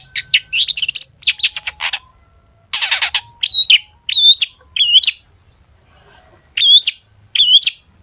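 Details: Busy long-tailed shrike song stuffed with imitations, used as a lure to set other shrikes singing: fast scratchy chatter and dense buzzy trills, then repeated squeaky upslurred whistles in short groups.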